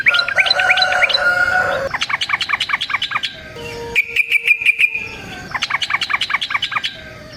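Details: Lure recording of yellow-vented bulbul in long-rolling fighting song meant to draw responses from other bulbuls: bursts of rapid chattering notes, a buzzy steady pulsed passage midway, then fast chatter again.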